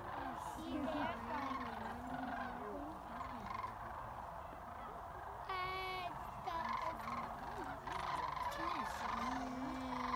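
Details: Sandhill cranes flying in to Jasper Pulaski after feeding in nearby fields; a massed chorus of rolling, trumpeting calls, with one strong ringing call standing out near the middle over the constant crowd noise.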